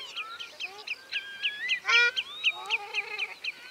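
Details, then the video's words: Ruddy shelduck calling: a dense run of short, honking, nasal notes repeated rapidly, several birds overlapping, some calls rising and falling, with louder honks near the middle and a background chorus of similar calls. "Tarro canelo (Tadorna ferruginea) Canto"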